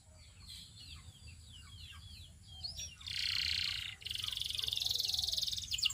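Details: Belgian canary singing: faint slurred chirps at first, then a loud buzzy trill and a pulsed, rattling roll in the last three seconds, with a low hum underneath.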